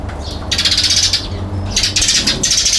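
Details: Eurasian tree sparrow on a balcony, photographed on 22 November 2021 in Japan, one bird monopolising the spot: bursts of harsh, buzzy chattering chirps in dense clusters, three main bouts with short pauses, plus low background rumble.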